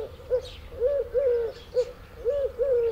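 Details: Song of the Eurasian collared dove, a garden species: breathy, resonant coos at an even pitch, grouped in repeated three-note phrases of short, long, long, with light background hiss.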